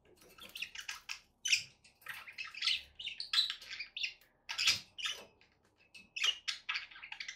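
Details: Several pet budgerigars keep up chirping chatter: sharp, buzzy, high chirps and squeaky warbles in steady short bursts, with little background sound.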